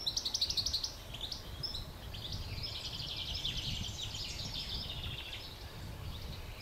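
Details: Morning birdsong by the flowing Waipara river in South Island, New Zealand: a fast rattling trill opens, then overlapping high warbles and chirps continue over a steady low rumble of running water.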